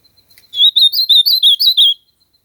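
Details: Azulão, the ultramarine grosbeak, gives a loud, rich warbling song: a rapid run of about seven slurred whistled notes, each sweeping up and down, delivered in one phrase of roughly one and a half seconds against a quiet background.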